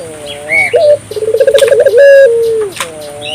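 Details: African collared dove calling vigorously, played to stimulate local doves to call: a short held note, then a rapid rolling pulsed coo ending in a long, slowly falling tone, with faint chirps of other birds.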